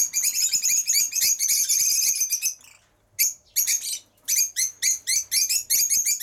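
Lovebirds chatter in a busy stream of shrill, high-pitched chirps and squeaks, several per second, with one brief pause before the chattering resumes.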